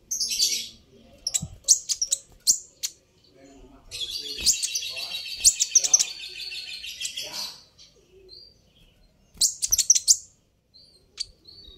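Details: Kolibri ninja, a sunbird, calling with sharp high chirps that are meant to make rival birds respond. Opening notes lead into a dense buzzy trill lasting several seconds, then a pause and a final cluster of chirps.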